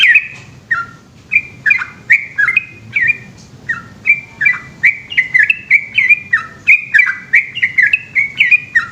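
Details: Yellow-vented bulbul in Indonesia pouring out a long nocturnal 'ropel' song: sparse bubbly whistles at first, then an accelerating stream of rich slurred notes falling and twisting, continuous to the end.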